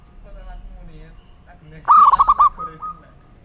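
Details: Local zebra dove (perkutut) giving a single rolling series of pulsed coos after a quiet start with faint, soft notes from other birds.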